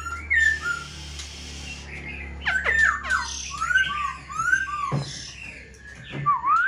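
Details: Black-throated Laughingthrush in a cage, for sale, fanning its tail and lifting its wings. Varied whistled phrases come in bursts, with sliding notes, sharp downward sweeps and a final clear upward whistle.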